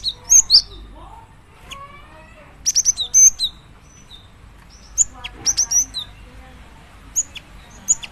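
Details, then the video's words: Calling to a male, a female cinereous tit utters loud, high, buzzy chirps in irregular clusters, with softer descending notes between the bursts. "Suara burung gelatik batu betina memanggil jantan"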